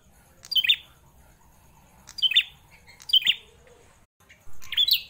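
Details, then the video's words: Caged prinia, kept for over four years, singing loudly: four short, sharp, bright chirps with a twisting accent, spaced about one second apart at uneven intervals, over a faint low hum. "Prenjak klawu gacor, suara lantang"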